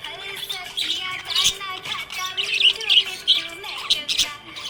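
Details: Happy pet budgerigar chirping: rapid bright twitters and squeaky chirps in quick bursts, with a song and music playing underneath.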